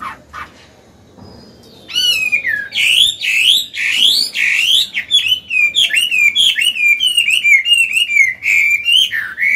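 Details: Chinese hwamei, an old bird with a wild-style voice, singing to train young birds and stir males; after a quiet start, loud whistled phrases sweep up and down, slurred notes repeated rapidly in a continuous, varied run.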